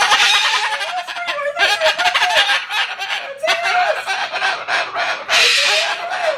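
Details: A bird showing disapproval of a cardboard house gives strange, wavering, nasal squawks in quick bursts, each bending up and down in pitch, over a harsh, hissy background; bird.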